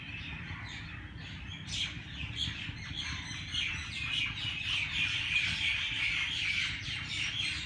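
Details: Many birds chirping early in the morning at Race Course Jilani Park in Lahore: dense, overlapping high tweets and short chips, steady throughout, with a low rumble of background noise underneath.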